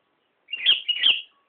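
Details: Clear, loud two-note phrase from a Sooty-headed bulbul recorded at Nambangan, the notes bubbly and slurred, rising sharply and falling back, in near silence.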